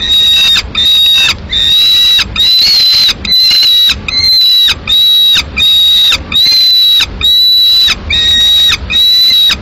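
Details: Lone peregrine falcon chick in Madrid, 22 May 2016, demanding food after the adult female takes the male's swift: a long, persistent run of about eleven shrill, grating calls, each held briefly and falling away at the end.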